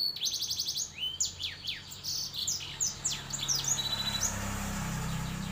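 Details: A canary × black-throated canary hybrid sings a fast, high medley of rolling trills and swooping whistles for about four seconds. A low mechanical hum then rises underneath.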